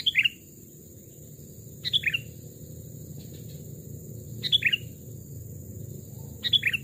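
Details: Sooty-headed bulbul, a caged bird aged two or three years kept from a chick, singing in a forest: short bubbly phrases of three or four quick notes, repeated roughly every two seconds over a steady low hum.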